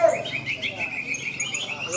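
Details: Blue-crowned hanging parrot at a songbird contest in Malinau, North Kalimantan, giving thin, high, rapid chirps in quick repeated runs, with faint voices in the background.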